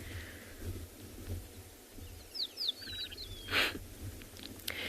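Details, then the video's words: A male Rattling Cisticola on a South African game reserve during a morning safari drive, 5 December 2020, moving closer. He gives a few quick, high whistled "bloop" notes and then a short, dry rattle, over a low engine rumble. "So this is the rattling cisticola, so you can hear he kind of does like a little bloop bloop before, and then there you go, the rattle at the end."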